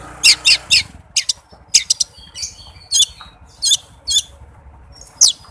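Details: Oriental magpie-robin's fast, tight lure song meant to prompt silent magpie-robins to sing: spaced bursts of harsh, high scratchy notes, some in quick pairs, over low background noise.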